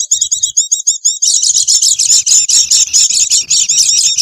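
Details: Noisy Oriental white-eye lure sound for attracting wild birds: a few clipped, evenly spaced chirps repeated about five times a second, then a sudden surge into thick, overlapping high twittering chatter.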